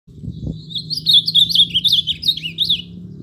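An ultramarine grosbeak sings a fast, sweet, warbled phrase of rising and falling notes lasting about two and a half seconds, over a low indoor hum.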